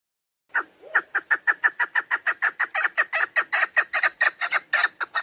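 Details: After a brief pause, a female chukar partridge's lure call for hunting begins: a fast, even series of about twenty-five hoarse chuck notes, several per second, continuing to the end.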